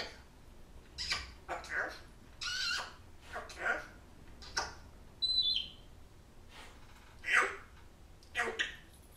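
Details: Pet African grey parrot talking, mimicking phrases such as hi, don't you bite, can I have a kiss, goodbye and want a scratch; quiet speech-like syllables in short bursts with one clear whistled note, in a quiet room.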